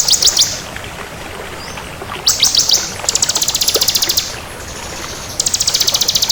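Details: Crystal bar-winged prinia (ciblek kristal) in full, lively song: bursts of rapid, very high, dry trilled notes lasting about a second, repeated several times with short pauses, over a soft background hiss.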